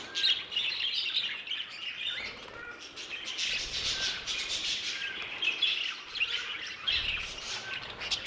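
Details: A group of budgerigars in an aviary fills the air with warbled chirps and quick high twitters, flock calls overlapping throughout with faint low knocks.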